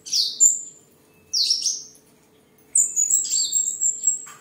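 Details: Singing tame seven-coloured sunbird, a home bird from Tân Phú, Đồng Nai, Vietnam, recorded 23 July 2022 while displaying and sparring: two piercing chirps, then a longer run of shrill, warbling high notes with a steady whistle above.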